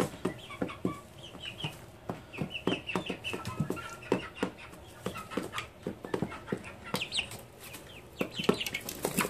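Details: Backyard chickens recorded on 30 June 2014, giving soft, scattered clucks among frequent sharp clicking and tapping sounds, all fairly quiet.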